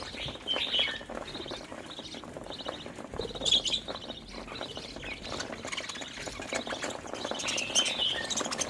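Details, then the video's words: Playful happy budgerigars giving short, bright chirps and trilled warbles in quick bursts several times a second, broken by brief gaps, with softer chatter running underneath. "budgie chirping sounds|happy budgies playing|cute budgie sound"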